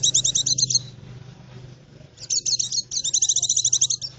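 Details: Lure song of a white-eye for forest bird trapping, a fast high twittering chatter in two bursts, with a low hum underneath.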